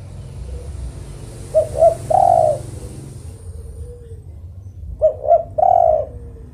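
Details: Spotted dove (tekukur) repeats its coo phrase twice, about three and a half seconds apart. Each phrase has two short hoots and a prolonged coo, with low rumbling noise beneath.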